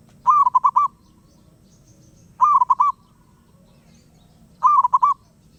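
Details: Wild zebra dove singing without pause: three bursts of rapid, bubbling coos, each a quick run of about five mellow notes, repeated roughly every two seconds over a faint low hum.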